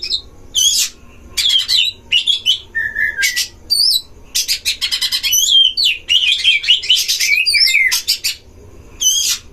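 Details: Oriental magpie-robins duel in a breeding enclosure, used to provoke other magpie-robins; bursts of scratchy chatter and bright looping whistles come in clusters separated by short silences.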